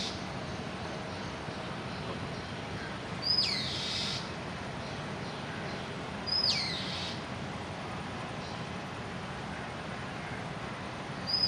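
A peacock gives three loud, harsh, sharply rising cries, roughly every three seconds, over a steady hiss of background noise.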